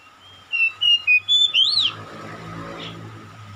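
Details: Oriental magpie-robin calling, with another magpie-robin answering: a run of five clear whistled notes over about 1.5 seconds, level and slightly falling, ending in a bright rising-then-falling sweep. A steady low hum lies underneath.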